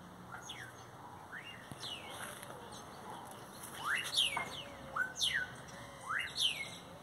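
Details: Singing great-tailed grackles give soft scattered notes at first, then a loud run of steep rising whistles, each sliding into a descending tail, repeated roughly once a second toward the end.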